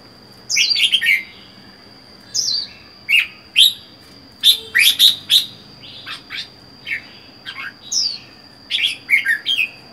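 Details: Wild-caught red-whiskered bulbul, kept singly in a cage for four months, gives a string of sharp chirps and short warbled notes, some falling in pitch, with a constant high electronic whine behind.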